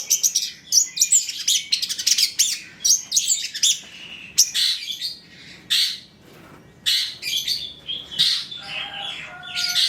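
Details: Long-tailed shrike song to draw other shrikes into singing, a choppy series of harsh rasps and rattling clicks in short bursts separated by brief gaps.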